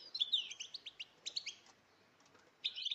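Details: A chorus of female European goldfinches makes batbata calls to stimulate males to sing: bright, slurred, high chirps in rapid bursts, a short pause, then another tight burst of twittering.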